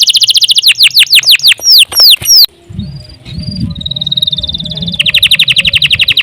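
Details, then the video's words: Canary singing gacor style: rapid series of sharply descending whistles, then softer flat whistled notes with low murmuring background, building into a loud fast trill at the end. "CANARY GACOR PANJANG UNTUK MASTERAN LANGSUNG NYAUT"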